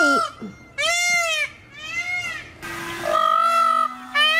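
A peafowl gives four loud, nasal, bleating calls, each about half a second and rich in harmonics, arching slightly in pitch. A low steady hum runs underneath.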